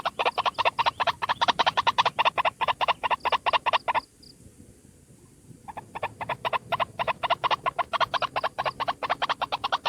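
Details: White-breasted waterhen, one bird, lure call: continuous rapid harsh pulses, broken by a silent gap of nearly two seconds midway, then resuming at the same fast rhythm.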